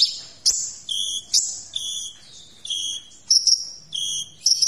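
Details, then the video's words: Sunbird (kolibri ninja) used as a tutor for magpie-robins and other birds. Clear, high, steady whistled tones come in short repeated blocks, some stepped up or down in pitch, with sharp ticking notes between. "Masteran Kolibri Ninja Isian Mewah"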